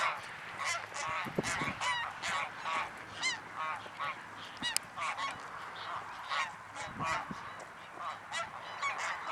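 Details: Greylag geese at Anna Paulowna, Holland, recorded 9 April 2011: a dense chorus of overlapping nasal honks and cackling calls, rising and falling continuously, with many birds calling at once.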